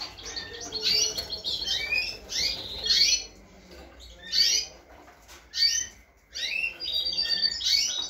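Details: A goldfinch × canary hybrid, finishing its moult in 2022, sings bright, rapid twittering phrases with high trills and sweet notes, broken by short pauses.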